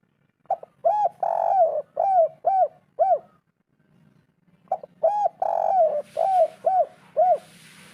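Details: Spotted dove 'kuk 3' call played to coax reluctant birds into calling: two bursts of cooing, each a short note, a long sliding coo and three quick rounded coos, with a faint hiss late on.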